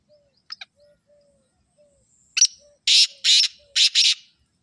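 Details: Black francolin giving a grating call: a sharp note, then three to four loud, harsh rasping bursts. Soft low whistles and a faint clicking double note come just before it.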